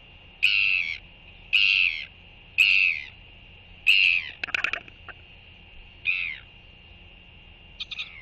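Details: Royal albatross on its nest with an egg, greeting a returning young blue-banded albatross, January 2023: nasal, braying calls repeated about once a second, then clattering and sparser calls, over a steady high tone.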